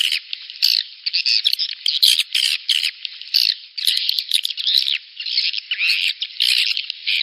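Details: Swiftlets heard in a lure call for the rainy-season breeding period: bursts of high, scratchy twittering, each lasting under a second, separated by short pauses, with sharp ticks scattered throughout.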